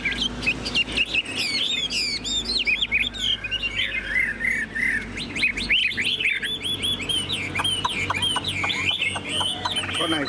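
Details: Tame caged Chinese hwamei, yellow-billed, singing confidently in a carry cage with tail fanned: a long, rich, varied song of fast rising and falling whistles, trills and clipped notes, with steady low hum behind.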